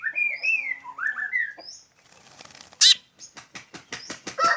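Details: Black drongo with a unique call, opening with a run of clear whistled notes that rise and fall, then a loud harsh burst and a quick series of sharp clicking notes.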